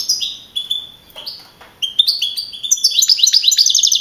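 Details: Young European goldfinch, contest winner in Navalcarnero, Spain, April 2012; a few spaced whistled chirps building into a quickening series of bright, sweeping twitters.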